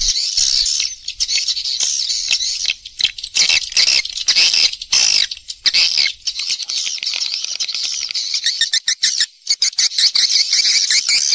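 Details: Swiftlet roosting call recorded in nature, used to lure birds to roost: a continuous high, squeaky twittering chorus of many birds, broken by bursts of crackling clicks and short quieter gaps.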